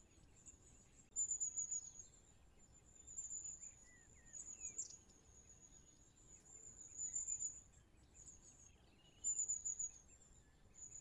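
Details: Long-tailed tit contact call that keeps a flock in touch as birds move from tree to tree: very high, thin 'tsee-tsee-tsee' series in short bursts of rapid notes, several bursts over the recording, faint lower chirps from other birds and soft background hiss.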